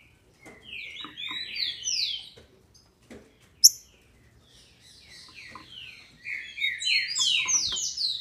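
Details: Female green-winged saltator from a captive Brazilian breeder, used to excite males: two bursts of rapid, slurred, downward-sweeping notes, fairly high and bright, separated by a quiet pause with a sharp click.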